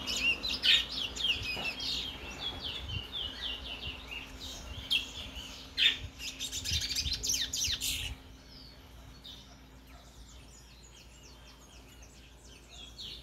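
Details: Brown chestnut-bellied seed finch, known locally as towa towa, in Guyana: about eight seconds of rapid, high chirps and scratchy warbled phrases in dense bursts, then fading to quiet with only faint distant twitters.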